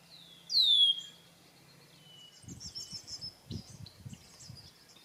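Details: Male red-winged blackbird singing and displaying at cattail marsh margins in South Hero, Vermont: one loud, sharp, sweeping whistled phrase, then fainter high chattering and low, muffled thumps.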